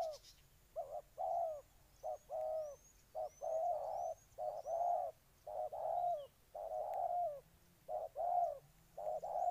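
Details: Vietnamese spotted dove from Ninh Thuận producing a steady run of soft, hollow coos, short notes alternating with longer ones. A high whistling chirp repeats faintly in the background.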